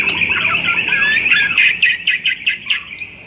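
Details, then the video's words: White-rumped shama song used to rouse a bird that sings too little: a harsh sustained chattering band, then a series of sharp bursts spaced about a third of a second apart, ending in a high whistle. "MASTERAN UNTUK DONGKRAK EMOSI MURAI BATU YANG KURANG GACOR"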